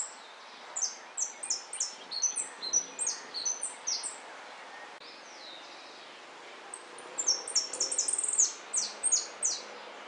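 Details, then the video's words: Jilguero singing in a 2013 competition at El Federal: two bursts of bright, high, rapidly repeated chirps and downslurred notes, pausing briefly in the middle, over faint room noise. "Jilguero blanco 2013 El Federal"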